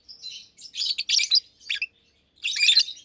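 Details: Fischer's lovebirds, two caged adults almost two years old, singing during the day: a few quick bursts of shrill, buzzy chirps separated by brief silences.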